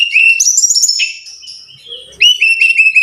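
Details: Song of a brown-chested jungle flycatcher, meant to prompt caged birds into frequent singing: rapid bright whistles, a ringing run of high notes, a short quieter gap, then a fresh burst of repeated clear whistled notes.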